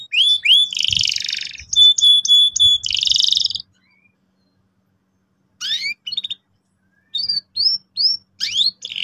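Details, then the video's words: Canary song to get young birds singing: a buzzy trill and evenly spaced whistled tones, a silence of about two seconds, then short bursts of curved rising chirps. "PANCINGAN BURUNG KENARI GACOR EFISIEN AGAR PAUD CEPAT NGEROL TAJAM & PECAH SUARA"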